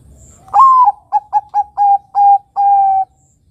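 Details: Bangkok-type zebra dove in full voice: one slurred upward-bending coo, then four clipped notes and two longer level coos, clear mellow whistled tone against near silence.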